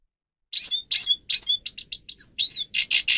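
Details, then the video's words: Grey-crowned goldfinch song used for training captive birds: several twittering phrases with rising slurs, then a string of short clipped notes and a run of buzzy chirps repeated about three per second. "(Carduelis caniceps) Goldfinch song"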